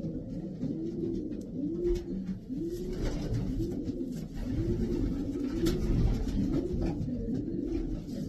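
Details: Several racing pigeons, part of twelve imported European-strain birds in Pakistan, coo in a run of low arched, rolling phrases about every second, overlapping one another, with faint clicks and shuffling in the background.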